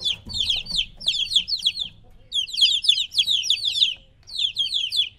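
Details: Chicks aged about three weeks, separated from their mother, giving grouped bursts of high, descending cheeps, with a short silent gap midway before calling resumes.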